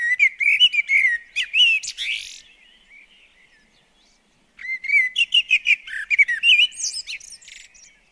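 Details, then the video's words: Common blackbird at a UK garden bird table delivering two warbling song phrases, mellow whistles mixed with squeaky high notes, separated by a two-second pause. "Garden Birds Singing The Blackbird"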